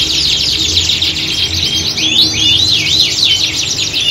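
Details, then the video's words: Canary chorus echoing a singing-contest arena, aimed at training a canary to be a fighter. Busy high twitters give way to clear rising-and-falling whistled loops, repeated several times, over a faint low hum. "Kicauan Squad Kenari Siap Gantang!"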